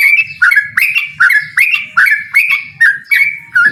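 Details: Yellow-vented bulbul singing to challenge a rival, a clear series of rich gurgling whistled notes, about two per second, each swooping down then up, with a quiet background.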